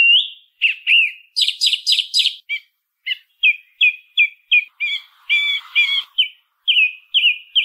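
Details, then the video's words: A song thrush, common in cities and rural areas, sings a fast series of rough chattering notes followed by clear notes repeated in groups, some doubled phrases given three or four times. Quiet surroundings. "1 HORA de SONIDO de ZORZAL COMÚN CANTANDO"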